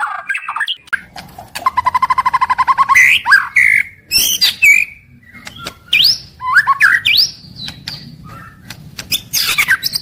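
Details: White-rumped shama singing its daily morning-to-evening song: a fast evenly pulsed rattle, then loud varied whistles, rising slurs and high scratchy flourishes, with a faint background hum throughout.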